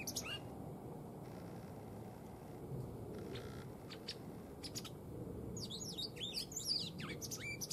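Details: Tame white wagtail that has not bred this spring. A short chirp opens, a few faint ticks follow, then a lively burst of high, rapidly modulated twittering fills the final seconds above a steady low noise floor.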